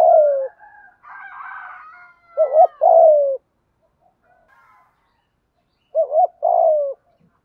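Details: Spotted doves in thổ pha calling style with gù thúc, male and female, used to urge other doves to call: low coo phrases of a quick wavering note and a long falling tone, with a fainter higher buzzy murmur early on.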